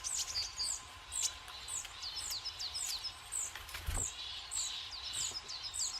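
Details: Tits at a woodland seed feeder in winter give quick, high, slurred chirps almost without pause, several birds calling over one another, with one low thump partway through.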